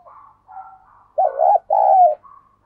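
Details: Decoy spotted dove cooing to lure wild doves: faint soft murmurs, then a loud, deep, two-part coo with a rounded first note and a longer, steady second note, followed by a brief quiet tail.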